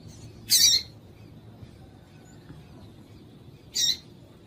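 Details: Calls of a female double-collared seedeater, used to stir males into singing: two harsh, high, rasping notes about three seconds apart, with quiet low rumble between them.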